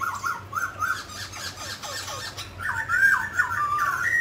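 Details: Mutant grey laughingthrush singing and dancing: a few short whistled notes, a stretch of softer scratchy sounds, then a louder series of looping whistles that rise at the close.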